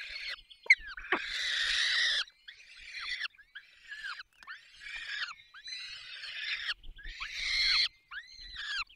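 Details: At a falcon nest in the Barycz Valley, Poland, during a feeding, a sharp click is followed by a long harsh screech. Shorter rasping calls then repeat every second or so.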